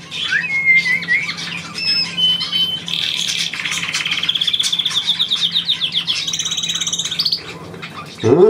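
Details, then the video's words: Pet bird indoors, encouraged by its owner to trill: short whistled notes, then a long buzzy rapid trill rising in pitch for several seconds, ending in a high squeak, with a man's voice at the close. "Hansi trillert auf Komando"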